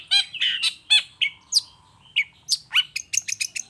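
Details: Long-tailed shrike giving energetic lure song meant to make other shrikes answer: rapid harsh, nasal notes and descending squeaks, then a quick series of high, sharp chips toward the end.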